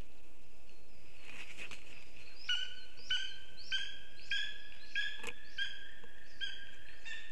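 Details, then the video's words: Lesser spotted eagle calling while bringing a gift to the female: a run of clear, slightly hoarse yelping notes repeated roughly every half second, with thin high whistles of other birds and faint background hiss. "Orlik krzykliwy"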